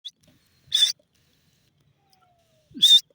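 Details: Female grey francolin (dakhni teetar) calling: two short, sharp, high notes about two seconds apart, otherwise quiet.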